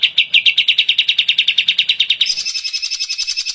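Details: Greater green leafbird in an energetic hyper song used for training songbirds. Ringing notes repeat quickly and evenly for two seconds, then give way to higher, thinner buzzy trilled notes at the same pace.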